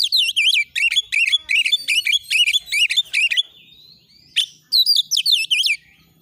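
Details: Oriental magpie-robin, a kacer used as a master tutor for training other birds, in fierce, insistent song: rapid bursts of sharp whistled notes with rolling, warbling inflections, repeated in quick phrases with brief pauses, a short gap near the middle.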